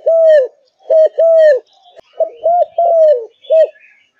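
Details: Malaysian-type spotted dove in peak form, cooing in resonant phrases: a long note, a short and a long coo, then a quick broken series ending in a clipped note. Faint chirps from other birds are heard behind.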